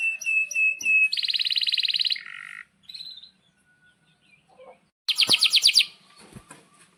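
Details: Canary in full, long song, described as sharp 'cuit cuit' calls and long rolls, used as a tutor for young canaries: a run of high repeated notes, then a fast buzzy trill, a lower rattle, a pause, and a bright rolling burst.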